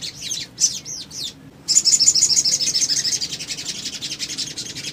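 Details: Little spiderhunter male used as a lure for other birds: a few squeaky sliding notes, a short pause, then a fast, even string of very high, sharp chirps repeated about three times a second.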